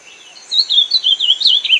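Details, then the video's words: Ultramarine grosbeak giving a short burst of warbled whistled notes, wavering up and down for just over a second after a quiet start, with a faint high hiss. "Canto do AZULÃO"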